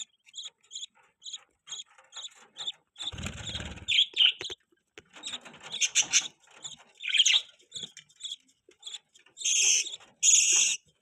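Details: Budgerigar chirping in a rapid run of short, bright, high chirps with twittering warbles between them. A soft rustle is heard near the start, and louder, fuller chirps come toward the end.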